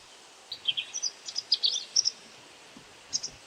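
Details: White wagtail call notes given while feeding on insects, a quick burst of about a dozen sharp high chirps in under two seconds, then silence and a final pair of notes.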